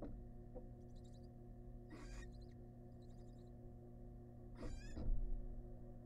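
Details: Wild barn owls at a monitored nest box as the male brings a massive rat to his family; harsh, noisy screeching bursts near two and five seconds, with softer ones between, over a steady electrical hum.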